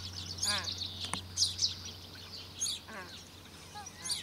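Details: Grebe family on Lake Benmore, Mackenzie Country: Australasian crested grebe adults feeding two 16-day-old chicks. Nasal, stacked, buzzy calls alternate with shrill high squeaks and a single sharp tick, over a constant low hum.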